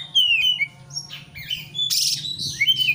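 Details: Oriental magpie-robin in an excited, rival-provoking song: a long descending whistle, then harsh buzzy rasps and a rising slurred whistle, all closely packed over a steady low hum.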